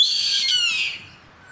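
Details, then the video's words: Yellow-headed caracara in the wild gives a single harsh, hoarse scream, drawn out for about a second and sliding slightly downward, then fading into quiet. Yellow-headed Caracara. "GAVIÃO CARRAPATEIRO CANTO"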